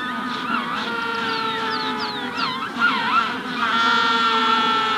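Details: Magellanic penguin colony during hatching, full of layered braying, buzzy harmonic calls, while a rufous-collared sparrow adds quick descending whistled slurs and loops in the background.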